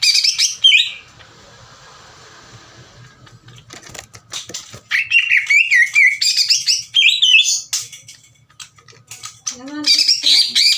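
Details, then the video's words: Greater green leafbird singing aggressively, as if challenging another leafbird: a loud opening burst, a soft hiss and clicks, then rapid rising whistled phrases and harsh chatter, with a lower slurred note near the end. "NGAMUK...!!!! CUCAK IJO GACOR NGEPLONG DAN TEMBAKAN KASAR NGAJAK IJO LAIN TARUNG."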